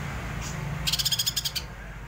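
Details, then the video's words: Greater green leafbird singing in a frenzied rolling manner delivers a quick, high ticking rattle of about ten rapid notes lasting under a second, preceded by a faint soft note, over low steady noise. "cucak ijo ngerol ngamuk"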